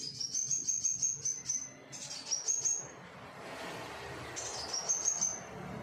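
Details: Scarlet minivet (sepah raja) song played to lure young trainee birds into singing: high, thin whistled phrases, each a short run of quick rising notes, repeated in three bursts with gaps, over faint background hiss.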